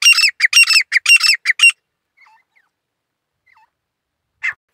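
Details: Grey francolin song: about two seconds of loud, harsh, squawking notes in fast, rhythmic bursts, followed by near silence with a few faint distant calls and one short harsh note near the end.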